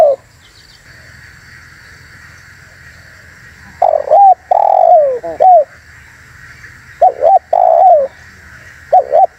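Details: Spotted dove call used to lure wild doves and provoke others: after a quiet start, two phrases of short paired coos followed by a long, drawn-out descending coo, over a steady background hum.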